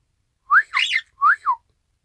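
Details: Pet Isabelle pearl cockatiel imitating a human whistle: two rising-falling whistled phrases, each a quick upward slur followed by a downward one, clean and loud in a quiet indoor setting.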